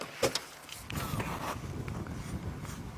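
Engine rumble from a safari vehicle at sunset, with a sharp click, the whir of an electric window and door sounds, and no animal voices.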